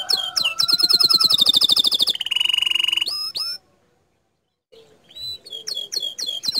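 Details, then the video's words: Bottle-green canary master song in 'tembakan' style: a rapid rattling trill, then a lower flat buzz and a long silent gap before sharp separate upswept notes resume. "Masteran Kicau Kenari Warna Hijau Botol Suara Tembakan nya Bikin Emosi Kenari Lain"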